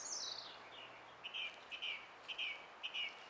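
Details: Song thrush in song on 20 April 2016: a descending slurred whistle, then a short twittering phrase repeated four times at regular intervals of about half a second.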